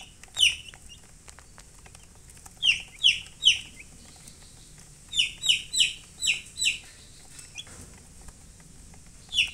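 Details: Chicks give bursts of shrill, downward-sliding peeps: one call, a pause, then groups of three and five rapid chirps, and a final peep near the end.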